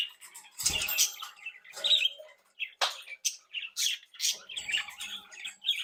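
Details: Captive budgerigars bred at home, behaving happily and actively, tweeting and singing: a run of short chirps and warbles, roughly one a second but irregular, over a low murmur of other birds.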